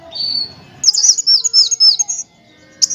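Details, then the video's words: Sunbird training song: a thin sustained whistle, then a fast string of high swooping chirps, a short gap and a final burst. "MASTERAN KOLIBRI WULUNG, NYRECEKT NEMBAK, NGEROL BURUNG LANGSUNG GACOR"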